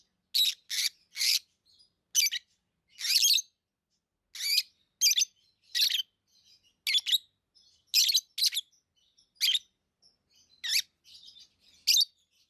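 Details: Lovebirds kept as pets chirping steadily: a long run of piercing, scratchy chirps, some doubled or tripled in quick succession, with quiet chatter between them.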